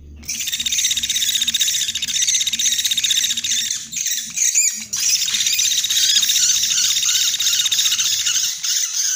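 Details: Woodpecker lure recording (pelatuk beras / pelatuk sampit) used to attract wild woodpeckers: a dense, high, continuous chatter of rapid thin notes, running almost without pause, with a brief break midway.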